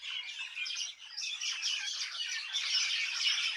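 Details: Dense chatter of numerous birds in a village, high squeaky chirps overlapping steadily, dipping briefly before rising again.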